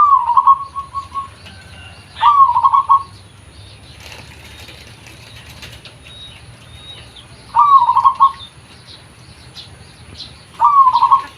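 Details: Original voice of a local zebra dove for luring: rolling phrases of beaded coos repeated at intervals of two to five seconds, with scattered high chirps from other birds and faint rustling between.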